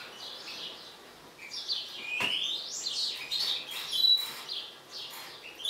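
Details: European goldfinch, a mutant, agitated, building from soft twitters into a rising slurred whistle, then a fast tumbling series of chirps with a clear pure tone near the end.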